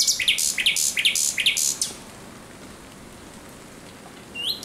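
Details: Thrush nightingale song at night, recorded 17 May 2023: seven loud, evenly spaced, sharply rising notes in under two seconds, then silence and a short rising whistle near the end.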